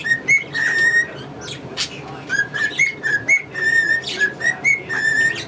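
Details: Male pet cockatiel whistling tunes such as Yankee Doodle Dandy and the Mexican Hat Dance beside two English budgies: clear, pure whistled notes stepping up and down in a melodic phrase, broken by short bright chirps and rustling.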